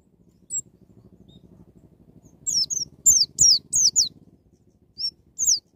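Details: White-eye in wild-style song for provoking a young bird to sing: a lone high note, then a short burst of four or five sharp descending chirps, then two more isolated notes.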